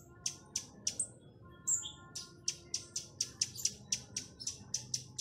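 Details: Chestnut-capped laughingthrush song played to draw wild birds in: sharp, high ticking notes at an even pace, broken near the middle by a short whistled note, over a faint low hum.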